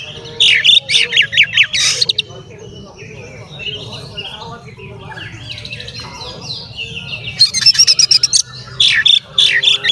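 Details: Male Oriental magpie-robin in vigorous song, intended to stir up other magpie-robins; opens and closes with loud rapid rattles mixed with sharp whistles, a quieter twittering middle, faint hum below.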